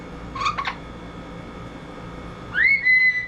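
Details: Pet double yellow-headed amazon parrot, rescued in November 2022 after 36 years in a cage, whistling indoors: two short clipped whistles, then a pause and a long clear rising whistle that levels off and holds, with faint room noise.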